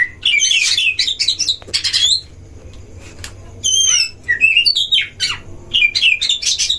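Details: Oriental magpie-robin song used as a lure to provoke other magpie-robins, recorded at a breeding cage: bursts of loud varied whistles and harsh scratchy notes, including repeated upslurred whistles, with pauses between phrases.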